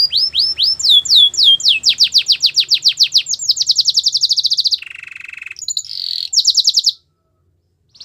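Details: Canary song used for training and to woo other canaries: long series of sharp descending whistled notes speeding into a rapid trill, a lower rattling trill, a short high trill, then silence.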